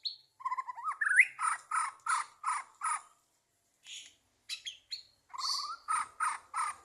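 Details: White-rumped shama recorded 2023 at a songbird competition: a brief whistle, then harsh chattering notes repeated about four times a second, a pause with scattered chips, and another harsh chattering run.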